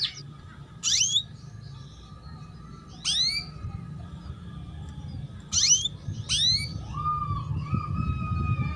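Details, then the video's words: Female canary giving 'cuit cuit' chirps to stimulate young birds to sing and raise breeding drive: a handful of sharp, high, downward-sweeping chirps spaced a few seconds apart over a steady low hum. "Pancingan Kenari BETINA Cuit Cuit"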